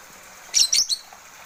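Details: Pied bushchat newly acquired and already singing actively: a brief burst of three sharp, high chirps within half a second, clear against a quiet background.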